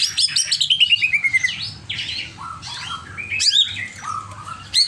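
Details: Greater green leafbird in an over-agitated state pours out a fast falling trill of bright notes, followed by scratchy chatter, short whistled slurs and a sharp rising note, over a low background hum.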